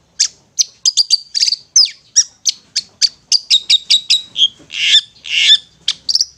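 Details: Ngetet-style song from a long-tailed shrike, used as therapy to prompt stressed or silent shrikes into singing: a busy, fast chatter of varied high notes, a few rough and buzzy.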